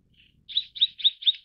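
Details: Mrs. Gould's sunbird, also called Tonghuafeng, calling in a fast series: one faint note, then four sharp high chirps at about four per second, each a short buzzy downward-sliding note, on a quiet background.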